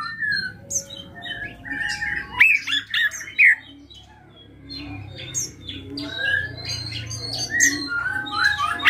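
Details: Drongo singing actively in a full, rich song with mimicked fills: varied whistles, sharp rising and falling notes and buzzy bursts around mid to high pitch, with brief pauses, over a faint low hum.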